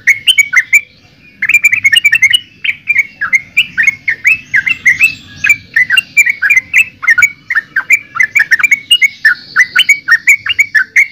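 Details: Trucukan, the yellow-vented bulbul, giving a long, lively run of chortling, gurgling notes in rapid, rhythmic phrases, nearly continuous after a brief pause at the start, with sharp high clicks scattered throughout.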